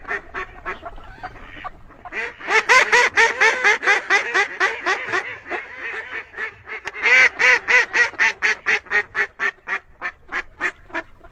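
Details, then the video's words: Duck quacking continuously, loud nasal quacks in rapid succession that swell, briefly ease, then surge again in a long regular series. "Beautiful duck sound best awaz"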